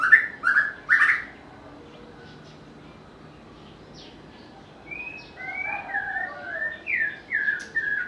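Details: Three loud whistled notes from a White-rumped shama open the passage. After a pause comes a softer string of smooth slurred whistles. This popular songbird has a melodious, varied voice.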